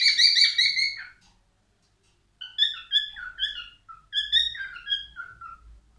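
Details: Male albino cockatiel singing: a bright whistled phrase, then a pause of about a second, then a run of short rising and falling whistled notes that step downward, with a faint low hum beneath.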